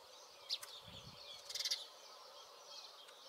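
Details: Rock sparrow at a castle in the Iberian Peninsula gives a single sharp chirp, then a quick burst of three or four high, shrill notes, over a steady background hiss.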